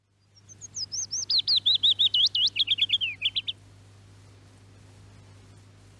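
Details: Willow warbler singing in summer in Norway, from a radio archive recording: a soft cascade of sweet whistled notes starting thin and high, sliding steadily lower over three seconds and ending in crisper notes, then quiet with a low steady hum.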